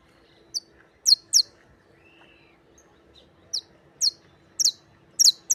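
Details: A Canario criollo (canary) gives sharp, high chirps, singly or in quick pairs, spaced irregularly over a few seconds against a faint steady hum.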